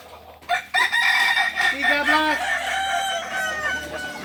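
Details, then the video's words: Crowing-contest balenggek rooster in Ampang Kualo, Kota Solok, starting abruptly with a loud, rich, harmonic crow broken into stepped segments that trail off slowly over about three and a half seconds. Faint voices sound underneath. "Latberan ayam kukuak balenggek"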